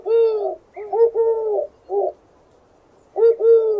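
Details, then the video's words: A dove coos in soft, hollow, rounded notes, given in short bursts with brief pauses, five phrases in about four seconds. "Real Dove Bird Sounds"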